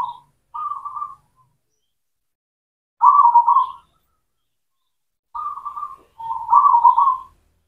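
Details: Local zebra dove, cemani type, singing as a lure for doves that have stopped calling: short purring coo phrases in uneven bursts, some louder and rolling, with quiet gaps between.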